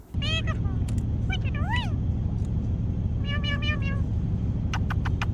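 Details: A female pet parrot mimics speech and meows in short, harmonic bursts over a steady low rumble.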